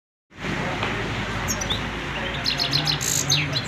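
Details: Goldfinch singing: after a second of steady hissing background noise, bright high-pitched twittering begins, with quick clipped chirps and short sliding notes tumbling in rapid succession, growing busier toward the end over the constant broadband hiss.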